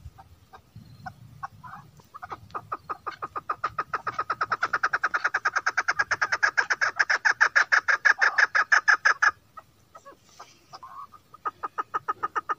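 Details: Female chukar partridge calling: a long accelerating series of rapid, evenly spaced clucking notes, about three per second, building in loudness then stopping abruptly, followed by a few scattered softer notes.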